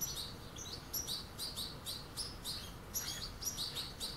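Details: European goldfinch fledglings with adults at a puddle, the young chasing the adults, give thin, high, wheezy chirps about two or three a second over a steady low background rumble.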